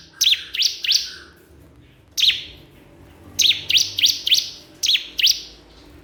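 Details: Calling out to a rival, a crystal prinia repeats quick high sweeping chirps in short bursts of two to four, each note a sharp down-up flick, with brief silences between bursts.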